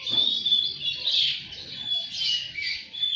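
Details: Brief stretch of Oriental magpie-robin lure song for untrained birds: a dense, continuous wash of high chattering notes with thin, long whistles threaded through.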